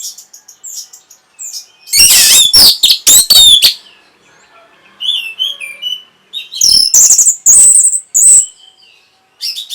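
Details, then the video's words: Breeding-stimulation song of an orange-headed thrush meant to prompt an answer: rich varied phrases of loud harsh chatter interwoven with sweet whistles and slurs, quiet gaps between, then another energetic run of high warbled notes. "NYANYIAN BURUNG PUNGLOR PEMBANGKIT BIRAHI AGAR KENCENG YANG PASTI 100% BAKAL NYAUT"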